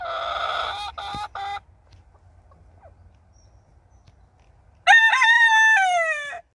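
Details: Wyandotte rooster crowing: the loud tail of one crow in broken syllables, a quiet pause, then a full crow with a sharp onset, a long held note and a falling, fading end.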